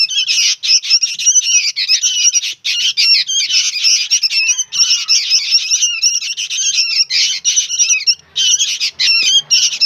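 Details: Noisy young sooty-headed bulbuls keep up an almost unbroken stream of harsh, rasping squawks, dense and high-pitched, barely pausing throughout.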